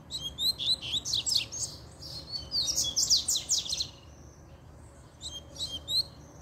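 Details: Excited double-collared seedeater song, set off by a female showing up: quick runs of high, sharp descending chirps and buzzes in two long bursts, then a pause and a short final flurry.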